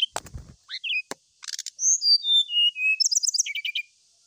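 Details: Brown-chested jungle flycatcher singing to seek a rival: varied high whistles and short trills, then a series of clear, falling whistled notes and quick buzzy phrases, with several sharp clicks mixed in.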